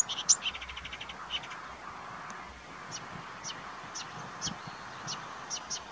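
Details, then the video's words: Marsh warbler singing at Budimír, Slovakia, a bird with a tick on its face: a quick, high chattering run of notes, then scattered sharp chirps and whistles at an uneven pace over a soft background hiss. "Marsh Warbler singing"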